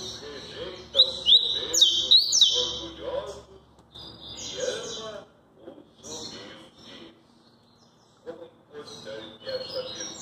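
A double-collared seedeater sings quick bursts of high, bright chirps and slurred whistles, pausing between phrases, with faint voices in the background.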